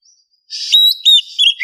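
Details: Female oriental magpie-robin in heat calling a male, morning lure: a short, scratchy, buzzy chatter mixed with a thin level whistle and warbled notes, lasting about a second.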